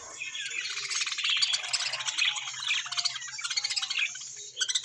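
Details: Home budgerigars producing a dense, continuous warble of rapid buzzy chirps and squeaks, rising in loudness and then breaking into quick pulsing chatter toward the end.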